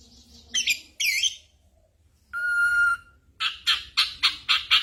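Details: Ashy drongo copying other sounds, used to train songbirds during moult: two sharp slurred notes, a steady ringing whistle held for under a second, then five loud harsh bursts repeated about every third of a second.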